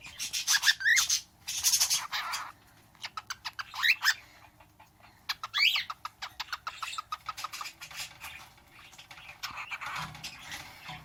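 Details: A male pet bird almost a year old, imitating his owner, makes smacking kiss-like clicks, quick rising whistles and harsh breathy "ahh" notes in stop-start phrases over about ten seconds.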